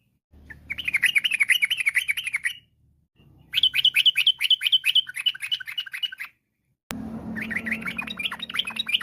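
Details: Sooty-headed bulbul in lively, varied rapid-fire song, used to prompt other bulbuls to sing along: bursts of quick chirpy, warbled notes, about two per second, in three segments separated by brief silences, with a low hum under the last part.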